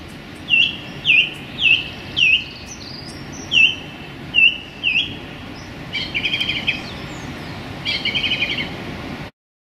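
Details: Male song thrush singing in a small London park on a sunny January day: seven loud repeated dipping whistled notes, then two longer rattling, buzzy phrases, before the sound cuts off.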